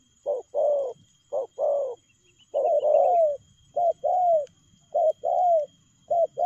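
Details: 'Lèo gù' style cooing from a spotted dove, fast paired hoots, a short note then a longer descending one, repeated about every second with short pauses.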